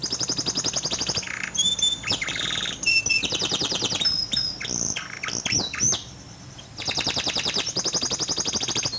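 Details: Lure song of a canary, played to prompt a canary that has gone silent to sing: rapid chattering rolls alternating with clear sustained whistles and sharp rising notes, with a brief quieter pause before another fast trill.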